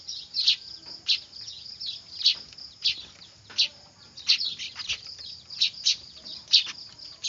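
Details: Noisy weaver (manyar) chicks, used as a lure for trapping: high, harsh chirps repeated in quick bursts about every half second, several overlapping calls, faint low background hum.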